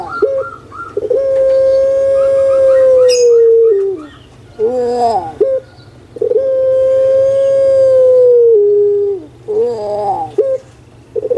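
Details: Kept puter pelung collared dove in Indonesia, used as a lure to prompt lazy birds to call: two long, steady, hollow coos of about three seconds each, each followed by a short broken, gurgling phrase.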